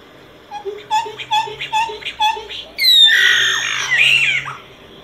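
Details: Solitary cacique singing: a quick run of short paired notes, low and higher together, leading into a long, loud, harsh, buzzy and strained phrase that wavers downward.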